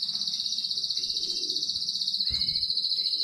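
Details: Canary from newly bred home stock, 15 May 2019, holding a continuous high, evenly pulsed rolling trill for several seconds, with one brief lower whistle and a light thump in the background.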